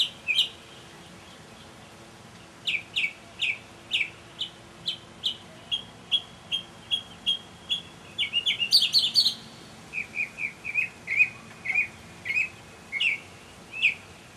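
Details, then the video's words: Early-evening mockingbird song from May 2007: a long run of evenly spaced high chips, a brief burst of very high rapid notes, then a new series of lower slurred phrases, each repeated several times. "Mockingbird Songs"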